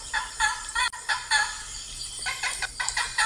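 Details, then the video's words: Raucous blue macaw calls: a quick series of grating, harmonic-rich squawks, about three in the first second, a pause, then a further uneven string of shorter rasping notes. "Blue Macaws"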